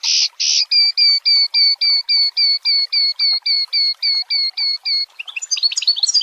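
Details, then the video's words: Long-tailed shrike (cendet) in the 'tembakan rapat' dense rapid-fire song style. It gives a steady series of clear chevron-shaped whistled notes, about four per second, then a jumble of high tumbling chips. "MASTERAN CENDET PALING DICARI || FULL TEMBAKAN RAPAT"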